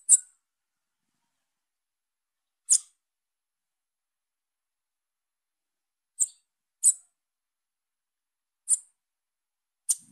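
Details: Young female Bananaquit calling: six very high, thin, sharp chips spread irregularly over ten seconds, with some close together and long silent gaps between others; no other sounds.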